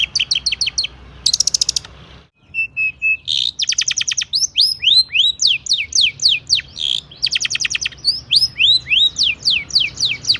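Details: Energetic long-tailed shrike song rich in imitated phrases, used to trigger singing in other shrikes. Quick high ticks and a buzzy burst lead to a brief steady whistle, then rattles and a long series of swooping whistled notes.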